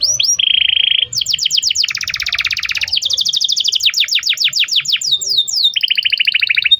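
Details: Domestic canary song used as a lure to teach a young canary to sing: a steady high trill, then fast repeated downward-sweeping notes, a buzzy lower trill and more rapid sweeping phrases, loud and continuous.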